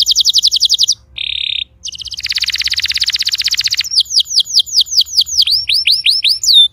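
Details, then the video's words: Canary song, played to coax a silent canary into singing: rapid rolls of sharp repeated notes, a brief steady buzzy trill, a dense fast rattle, then a string of swooping whistled notes, each phrase changing abruptly. Faint low hum underneath. "PUTAR VIDEO INI JIKA KENARI ANDA MACET BUNYI"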